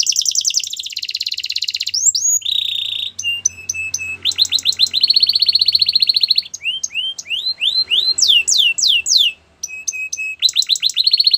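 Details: Canary song for training, delivered in varied phrases: a sustained buzzy trill, rapid repeated high notes, clusters of sharp downward-sweeping whistles, and quick rolling tours, all high-pitched and loud with no other sounds present.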